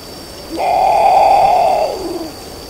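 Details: A great potoo, the largest potoo species, gives its eerie song: one loud, hoarse, drawn-out bawl lasting over a second, sagging into a lower, fading groan, with a faint steady hiss behind.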